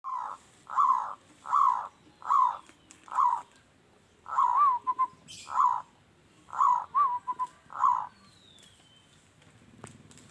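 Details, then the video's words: Local zebra dove (perkutut) singing steadily, its voice described as harsh and loud: repeated low cooing phrases with short rolled notes, delivered in a rhythmic series of about ten bursts with brief pauses between. "Perkutut lokal gacor suara kasar//keras"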